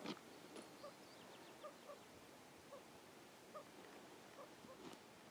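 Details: White-tailed ptarmigan with chicks at Rocky Mountain National Park in July 2016: soft, short peeps repeated irregularly, roughly every half second, over a steady hiss, with a few sharper clicks.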